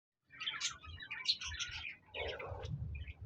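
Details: Budgerigars recorded on 26 January 2024, chattering in soft, quick bursts of scratchy high chirps and warbles with short pauses between, fairly quiet, over a low background rumble.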